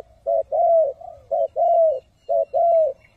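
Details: Spotted dove decoy bird singing the 'three hậu, thúc and gù' style used to lure wild doves into traps: three paired phrases, each a short mellow coo followed by a longer drawn-out coo, roughly one pair per second, over a quiet background.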